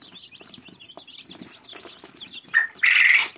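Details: Young chicks peep in a chorus of high, wavering chirps, and loud rustling or flapping noise follows at the end.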